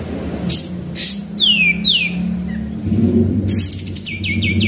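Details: Sooty-headed bulbul in active song, played as a lure: two clear descending whistles mid-clip, then a rapid run of short falling notes at the end, over a steady low hum and faint road noise.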